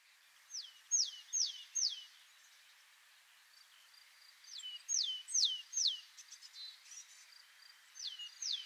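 Willow Tit song: clear, pure descending whistles repeated in phrases of three or four notes, with pauses between phrases; faint background hiss.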